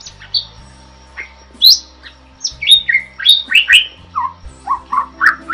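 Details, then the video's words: Starling in vigorous song, for use as a tutor recording; after a quiet start comes a dense run of rising and falling whistled notes, some dropping low and mellow. "Suara Burung JALAK GACOR"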